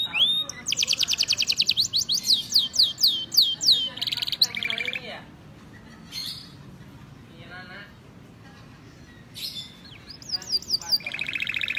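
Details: Male canary bursts into song with a whistled note, rapid clicking trills and descending sweeps, then buzzy phrases; a quiet stretch with faint scattered sounds follows before high swept notes and a buzzy trill resume.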